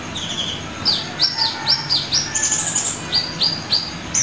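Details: Contest entry of a sunbird from a viewer's recording, played back: a steady run of high sharp downslurred chirps, roughly three per second, with thin buzzy notes at the start and a soft steady hiss behind.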